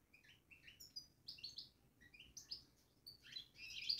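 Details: Quick, liquid twittering from a caged European goldfinch, a string of bright short high notes and slurred chirps growing fuller toward the end over faint low hum.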